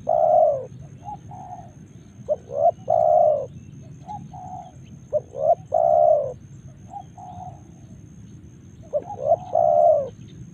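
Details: Spotted dove in Karawang, Indonesia, calling steadily: about four phrases of short clipped notes leading into a long, full, level coo, spaced around three seconds apart, with quieter coos between them.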